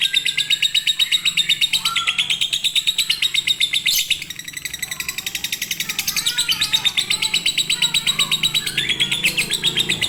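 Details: Konslet lovebird song played to coax quiet birds into singing: a continuous rapid chatter of high buzzy chirps lasting ten seconds, with brief sharp accents and faint lower warbles in the middle.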